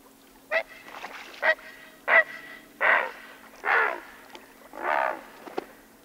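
Great Blue Heron giving about seven loud, harsh, rasping squawks over six seconds, uneven in spacing, the later ones longer and croakier.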